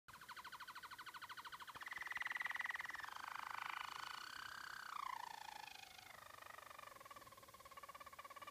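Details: Caged Harzer Roller canary, a German roller, singing indoors: soft continuous rolling trills at moderate pitch, pulsing rapidly, shifting into a smooth sustained tour and then a gliding falling roll before resuming rhythmic trilling.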